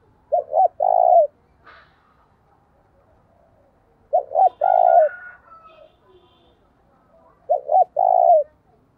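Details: Decoy spotted dove cooing to lure and provoke rivals; three phrases roughly every 3.5 seconds, each two short notes and a long mellow coo, with faint voices and a thin whistle between them.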